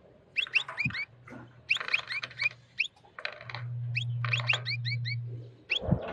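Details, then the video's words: Wild European goldfinch, excited and mating with a white female canary, singing strongly: bursts of quick, rising twittering notes in clusters, with a steady low electrical hum beneath and a short thump at the end. "الحسون الخلوي يتزاوج مع انثى الكناري بيضاء هيجان و تغريد قوي"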